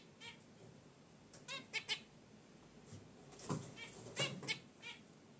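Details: Pet zebra finches in their cage beside a wicker basket nest give short nasal, trumpet-like beeps and honks, several in quick bursts, mixed with soft clicks and rustling as they relax.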